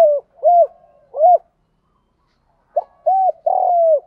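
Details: Spotted dove coo from a training and luring track with male and female birds. Two rounded low coos, a pause of over a second, then a clipped note, a coo and a long drawn coo.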